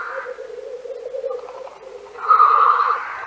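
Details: Black grouse in Central Russia: a steady low, rolling bubbling coo runs throughout, broken near the end by a loud, harsh hissing sneeze-like burst lasting under a second.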